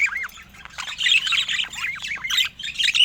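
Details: A budgerigar gives a quick run of bouncing, down-curving chirps and scratchy squawks in short bursts, with softer chatter from other birds between phrases.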